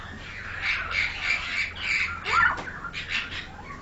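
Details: A captive-raised pied myna (Asian pied starling) gives a run of harsh, squawky notes with a few whistled slurs, repeated about every half second.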